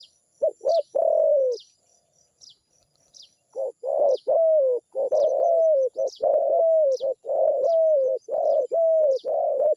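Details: Zebra dove giving its cooing song: rolling, slightly falling coo phrases, each under a second. They come in quick runs, with a two-second pause early on. Faint high chirps from other small birds sound in the background.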